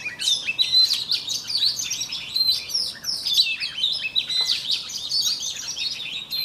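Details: Voice-training morning song from an oriental magpie-robin decoy; a steady flow of high twittering notes, quick whistles and trills, fairly even in loudness throughout.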